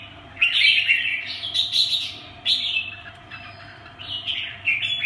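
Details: Caged red-whiskered bulbul delivering a loud, dense warbled phrase, then shorter twittering bursts, with a low background hum.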